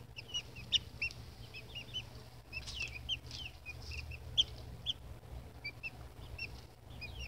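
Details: Baby chicks peep busily, many short high chirps overlapping, some louder and piercing, in bursts with brief lulls, over faint low hum.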